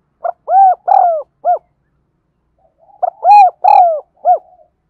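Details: Decoy spotted dove calling to lure others: two clear cooing phrases, each a short note, two long mellow falling coos and a final short coo, separated by about a second and a half of silence.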